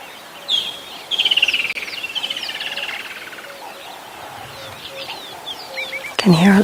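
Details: Woodland kingfishers (Halcyon senegalensis) calling on a summer afternoon safari, 21 December 2021: a sharp high note, then a long rattling trill sliding downward, with other birds chirping and a person speaking at the end.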